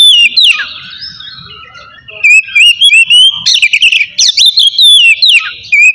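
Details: Oriental magpie-robin in full ngeplong song, used to provoke rival birds and coax reluctant ones to sing: a long, gliding falling whistle, a short pause, then a rapid stream of loud, ringing, varied whistled notes and sharp chips.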